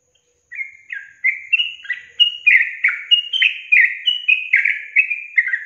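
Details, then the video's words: Trucukan, the yellow-vented bulbul, in a lure song for getting caged birds to start singing: after a short silence, a lively run of liquid, warbled notes steps up and down in quick succession, steady and unaccompanied. "Pancingan Trucukan SUSAH BUNYI, BAKALAN dijamin dalam menit saja langsung NYAUT GACOR"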